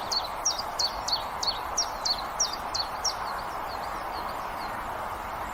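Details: Common chiffchaff delivering a steady run of about ten high, clipped, falling notes at roughly three per second, fading softer toward the end, above a broad hum of background noise.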